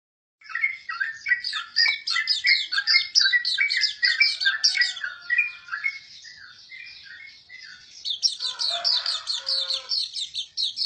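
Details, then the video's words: Hume's white-eye singing a fast, jumbled stream of high chirping and twittering notes, thins to a softer passage near the middle, then resumes with a brighter, higher burst of rapid trills. "burung pleci auriventer"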